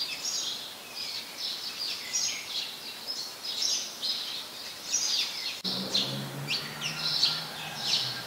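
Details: House sparrows, a very common resident in Ubon Ratchathani, Thailand, recorded 17 January 2020: a steady stream of chirpy, slightly buzzy notes repeated several times a second, with background noise and a low rumble joining partway.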